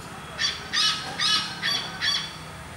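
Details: Great hornbill (Buceros bicornis), wild in the jungle of Goa, giving five loud, harsh, squawking barks spaced about every 0.4 seconds, with a faint low background hum.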